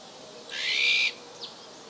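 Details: Iberian magpie in Ria Formosa Natural Park in southern Portugal, recorded in winter on 31 December 2011, giving one grating, buzzy rasp followed by a faint short note.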